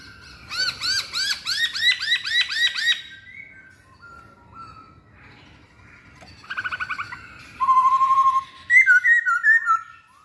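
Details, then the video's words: Masked laughingthrush singing a fast series of looping notes, then quieter phrases and a buzzy trill. A clear whistled trill and bright, twittering notes end the sequence. "Kicauan Poksay Hongkong"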